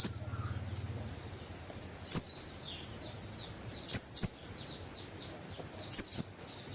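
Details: Kept olive-backed sunbird in top singing form, calling to lure a rival: sharp, very high, piercing double notes with faint twitters between, in three bursts about two seconds apart over a low steady hum.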